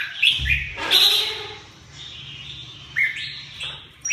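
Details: A red-whiskered bulbul gives a few whistled, upslurred notes and warbles, interrupted early by a brief rustling thump and broadband noise, then quieter phrases toward the end.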